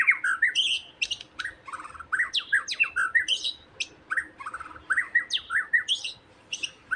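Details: White-rumped shama, in provocation sound meant to stir a shama into eager singing: busy, scratchy chattering with squawky notes, short bursts repeated irregularly over seven seconds, mixing mid-pitched chirps with higher sharp clicks.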